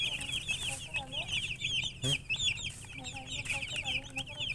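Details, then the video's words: Chorus of chirping baby chicks, many birds peeping at once in quick high rising-falling notes that run together continuously, with a low hum underneath and one short thump. "Baby "Chicks Chirping" Sound"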